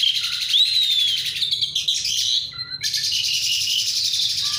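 Asian pied starling giving its natural rolling song, a fast jumble of clear rising whistles broken by harsh, scratchy bursts and short tonal notes.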